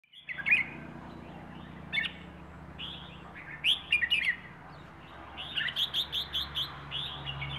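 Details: Wild-caught bird from Rayong, Thailand, singing in the 'plai ho' song style: short bright chirped and warbled phrases in scattered bursts, then a quick run of repeated notes near the end over a low steady hum.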